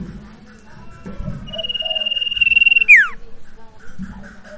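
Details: Lure recording of a sirtu for a bird that will not sing: a bright sustained trill at one pitch that swells louder, then snaps into a steep falling whistle, with low humming and faint murmurs behind.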